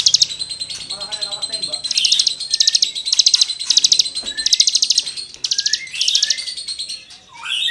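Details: Cigun song used to tutor songbirds: continuous rapid rattling chirps in dense bursts, mixed with slurred whistled notes and a brief rising note near the end.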